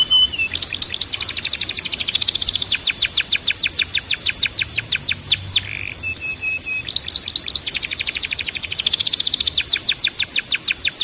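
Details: Canary training song with professional tutor notes for young birds: long runs of fast high descending whistled sweeps, a short low steady piping phrase midway, then rapid rhythmic sweeps and rolls resuming strongly.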